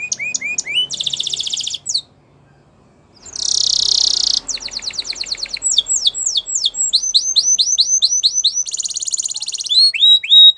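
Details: Canary song made of repeated tours: rising whistled slurs in quick series, dense buzzy rolls, and fast trills, separated by a short silent gap.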